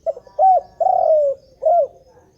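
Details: Continuous calling of a spotted dove: a few soft clipped notes, a short coo, a long rolling coo and a final rounded coo, clear against a quiet background.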